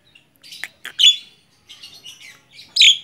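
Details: Tame Javan myna singing while perched on a hand, giving scattered harsh chirps and buzzy squawks with short gaps, ending in a loud rasping burst.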